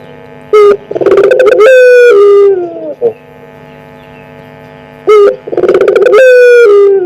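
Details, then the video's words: Lure call of a one-year-old pelung-type collared dove, heard close and loud: a short clipped note, a rolling trilled phrase, then a long falling coo, the pattern repeated after a pause of about three seconds. "Misteri Suara Burung Puter"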